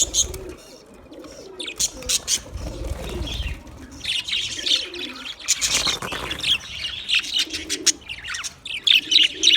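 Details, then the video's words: Busy budgie chirping: mixed scratchy warbles, squeaks and sharp high notes coming in quick succession, with a brief quieter spell early on and a loud burst midway. "sounds of budgies chirping"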